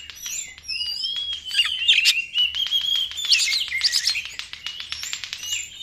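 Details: Lure song of a white-rumped shama for drawing in other birds, a continuous rich medley of sweeping whistles interspersed with fast, sharp ticking notes.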